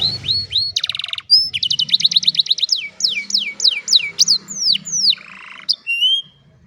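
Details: Old canary singing in the afternoon with rapid high trills, a series of sharp downward-sweeping whistles repeated about twice a second, and a low background hum.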